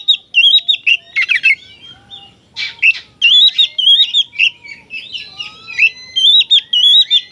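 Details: Oriental magpie-robin in vigorous song, played to make other magpie-robins aggressive: loud, rapid, varied whistled phrases with warbling turns and brief harsh buzzy bursts, delivered almost without pause.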